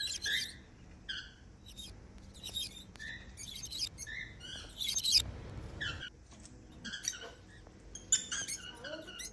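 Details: Lovebirds of the African kind, flying freely and making happy sounds, give fairly faint, thin chirps and squeaks in scattered bursts against a steady low background hum.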